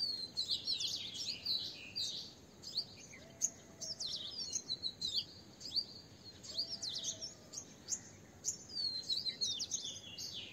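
Asian green bee-eater giving quick, high, trilled chirps in clustered bursts every second or two, over a steady high insect-like hiss.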